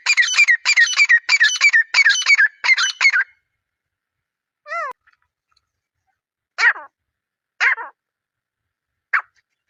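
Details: Grey francolin calling: a fast run of harsh, scratchy notes for about three seconds, then a single clear whistled note rising and falling, followed by three spaced harsh notes.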